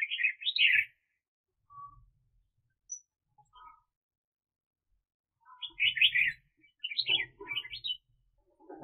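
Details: Red-whiskered bulbul kept as a decoy for catching birds in the 2021 season: a loud, bubbling warbled phrase opens, a few soft notes follow, then more lively warbles return with low knocking and rustling sounds.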